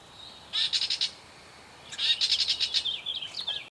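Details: Gray catbird in North Tetagouche, New Brunswick, giving rapid bursts of harsh, rattling high chatter, a half-second burst then a longer one of quick pulses ending in slurred squeaky notes.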